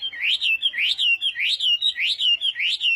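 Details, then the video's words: Chinese hwamei in morning singing practice for contests, repeating one ringing rising-and-falling whistled phrase five times at an even pace, clean and loud. "Hoạ Mi Hót Đấu /hoạ mi hót sáng luyện giọng"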